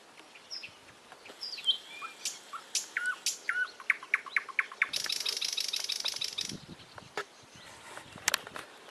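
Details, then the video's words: Wild birds singing: a varied run of sharp descending whistles and slurred notes, then a fast dry buzzy trill lasting over a second, followed by scattered chirps against a quiet background. "голоса птиц"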